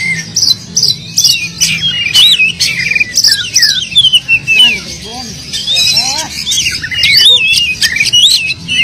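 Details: Oriental magpie-robin singing vigorously with a song full of filler phrases, meant to prompt mute magpie-robins to sing; a dense stream of varied whistles, upward and downward slurs and sharp chips, with almost no pauses, over a faint low hum.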